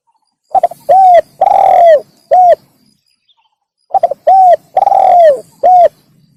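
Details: Spotted dove cooing, played to lure wild doves: two phrases, each a stuttered short coo, a long drawn wavering coo sliding down, then a clipped final coo, separated by a pause; no other sounds.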